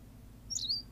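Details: One brief, high call from a Berthelot's pipit recorded on La Gomera, Canary Islands. A squeaky onset drops into a fine, trilled whistle lasting a fraction of a second, over faint low background noise.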